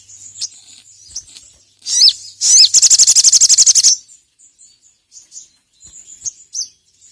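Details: Ruby-cheeked sunbird calling to a rival, recorded for training other birds: two sharp rising notes lead into a rapid, even, high-pitched trill of about fifteen pulses, followed by sparse thin chirps.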